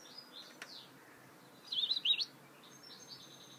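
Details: Mule goldfinch gives a short, lively twitter of high, rapidly tumbling notes, with faint scattered chirps before and after against low background noise.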